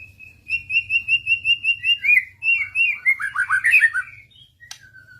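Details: Murai responding persistently to a lure recording: a steady series of about twelve evenly spaced clear whistled notes, then a tumbling cluster of quick slurred downward notes, a sharp click and a final soft whistle.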